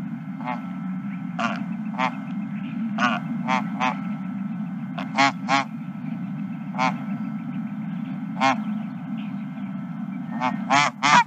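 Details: Several geese at a ranch on 31 March 2023 around 21:26 give short, nasal, harmonic honks, some single and some in quick pairs, about a dozen scattered irregularly over eleven seconds above a steady low rumble.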